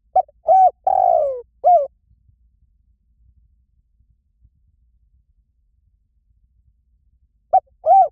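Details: Spotted dove giving a clear phrase of hooted coos, short, then longer falling, then brief, followed by six seconds of silence before the next phrase begins.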